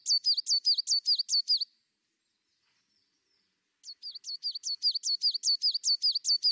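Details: Tit repeating a two-note high whistle in a steady, regular series, roughly two phrases per second. The run stops for about two seconds, then starts again.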